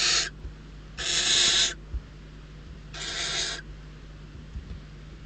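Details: Barn owl nestlings in the Ebro Delta's Riet Vell reserve, starving and squabbling over food brought by an adult, give rasping hissed begging screeches, one clipped at the start and two fuller bursts, with quiet gaps and faint background hum.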